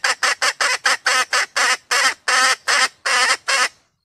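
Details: Sumatran red junglefowl female calling, a sound used to bring males near or prompt crowing; a dozen loud, harsh, nasal notes, short at first, then longer and more spaced toward the end.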